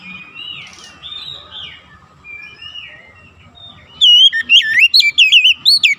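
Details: Oriental magpie-robin song for provoking other magpie-robins to sing; soft warbled phrases over a low hum give way to a loud, rapid burst of looping whistled notes in the final two seconds.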